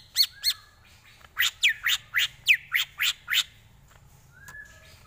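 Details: Greater green leafbird singing a tutor song used to train other birds: a rapid string of about ten harsh, sharp chattering notes, then a faint short whistle before falling quiet.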